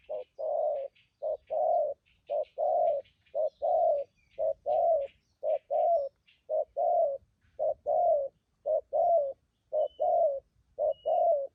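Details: Spotted dove, a wild bird newly trapped and used to lure others, giving a long, very regular 'thúc gù' coo sequence: paired low hollow notes, about one pair per second, with faint high twitters.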